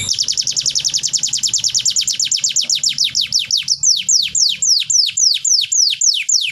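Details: Canary song used to restart silent birds: a fast, steady trill of descending notes that slows into slower, louder downward sweeps, with soft low hum.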